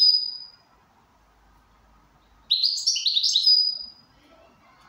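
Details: ['Goldfinch singing in good condition: a bright drawn-out high note, a pause, then a rapid twittering phrase of jumbled liquid notes ending in a thin sustained whistle.']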